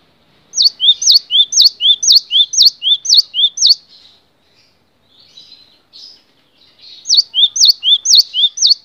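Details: Long tutor recording of cinereous tit song: a run of about seven rapid two-note phrases, high swept note then lower rising whistle, a quiet gap with faint rustles, then the same phrase starts again.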